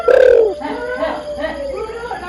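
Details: Female spotted dove calling to the male: one loud, low, level coo note at the start, followed by softer, fainter hooting notes trailing away.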